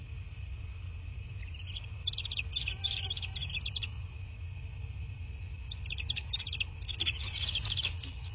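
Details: Bald eagle nest in southwest Florida on a nest camera, 13 March 2024, 23:19. Two runs of thin, quick chattering notes, one early and one late. Constant hum and low background rumble underneath.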